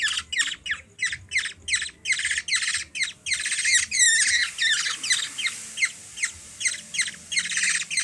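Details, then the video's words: Black-naped oriole, a hungry baby bird fed by a young girl in the Philippines, calls in a fast series of rasping squawks, becoming a continuous buzzy chatter with downslurred notes midway. "Hungry bird feed by 3 yrs old girl(black naped oriole) from the philippines"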